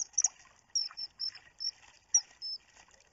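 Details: Common kingfisher filmed by webcam on 29 June, uttering brief piercing whistles in quick succession, several slurred downward, mixed with soft rustling and scraping noises.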